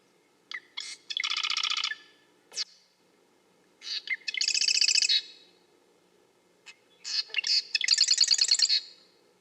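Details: Marsh wren singing three rapid, dry rattling trills, each introduced by a couple of clicking notes, separated by pauses of one to two seconds, with a single sharp chip between songs.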